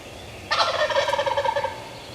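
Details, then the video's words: Wild Turkey longbeard at very close range, five yards, April 14th 2024, a male that was also spitting and drumming; a single loud gobble, abrupt in onset, then a rapid bubbling series of rattled pulses lasting about a second. "Hard Drumming Gobbler at 5 Yards!!"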